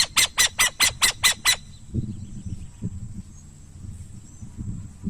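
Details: Burrowing owl calling: a quick run of seven harsh, broadband rasping notes, about four per second, over the first second and a half. Only quiet, low background rumble with faint scattered thumps follows.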